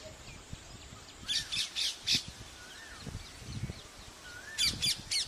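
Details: Hornbill in a tree, breeding in the rainy season: loud harsh squawking bursts in clustered groups of three, with softer downslurred calls in between and a faint natural background.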